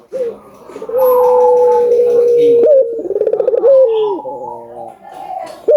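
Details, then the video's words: A collared dove, albino, calling persistently, used to get other doves calling. A long even coo lasting well over a second, then a jump up, a fast rolled trill and a sliding, falling finish. "Suara Burung Puter Gacor ,merangsang burung puter agar bunyi | burung puter albino gacor"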